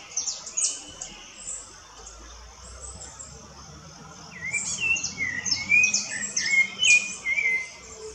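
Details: Rufous-bellied thrush in the woods, heard through dense high chirping from other birds. In the second half it gives a rapid run of warbled, up-and-down whistled phrases.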